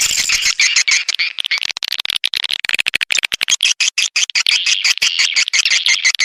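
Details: Swiftlets chatter in a dense, high twittering of rapid dry clicks and chirps, about three a second and overlapping throughout; a recording used to lure swiftlets.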